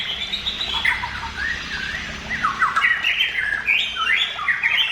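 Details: White-rumped shama singing to provoke other shamas into song, a varied run of rising and falling whistles and squawky chattering notes, delivered continuously with a low steady background rumble.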